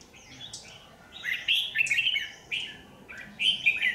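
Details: Lure red-whiskered bulbul singing at a trap set along power lines on 27 January 2019: bright, rolling warbled phrases, several quick notes bunched in bursts about a second apart, over quiet background.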